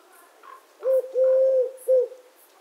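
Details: Eurasian collared dove cooing: a three-part phrase of soft, hollow low notes, with a short coo, then a long sustained one, then a short closing note, over faint background hiss.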